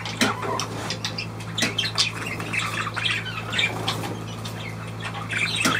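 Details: Rapid budgerigar squawking, harsh broadband clicks and short chirps tumbling irregularly, with a few brighter notes near the end and a constant low hum underneath.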